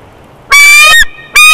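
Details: Wild bald eagle at the Big Bear Valley nest cam, 12 June 2021, on a day it wing-slapped a raven. Two loud, ringing harmonic notes: one held about half a second, then a second note starting after a short pause.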